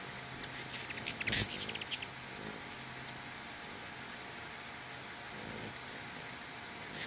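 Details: A crowd of hummingbirds at two feeders in front of a house gives a rapid burst of high, sharp chips over about one and a half seconds, then only scattered single ticks against a faint steady hiss.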